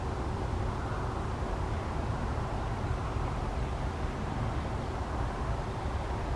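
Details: Low, steady rumble of passing traffic or wind outdoors, with no other distinct sounds.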